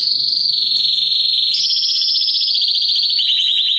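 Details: Canary male singing to stimulate females for mating. A continuous high rolling trill steps up in pitch midway, then drops slightly into a faster pulsed roll near the end.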